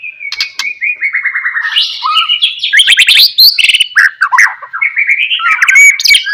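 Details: White-rumped shama singing energetically, a lure meant to trigger other shamas into song: dense, fast medley of buzzy trills, warbled whistles and sharp clicks, loud throughout with rapid changes in phrase.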